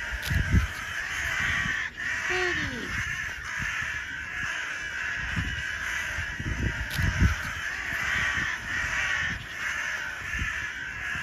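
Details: Crows reacting to black feathers being shown to them: harsh repeated caws, with one drawn-out falling call, over steady outdoor background noise and low thumps.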